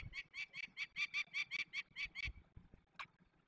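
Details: Peregrine falcon during a release of young birds, Barycz Valley, Poland, 27 May 2020: around eleven loud, grating notes in quick regular succession, then a pause and one final isolated call.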